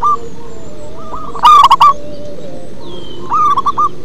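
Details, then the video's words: Bass-voiced local zebra dove singing: one loud, rapid, stuttering coo phrase in the middle, framed by softer trilled coos from other doves and a low humming background. "Perkutut lokal manggung ngebas"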